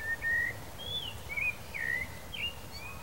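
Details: Male blue dacnis, free-living, giving thin, high, slurred whistled notes, some rising and some falling, spaced about half a second apart over a low rumbling background.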